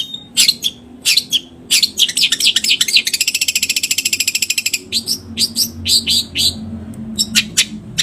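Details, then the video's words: Long-tailed shrike from Java singing a varied 'gacor' medley with 'isian' fill-ins: sharp scattered notes, then a rapid, even mechanical trill for nearly two seconds, then more chirps, with low background hum. "Kompilasi Kicauan terbaik cendet Jawa gacor full isian jernih"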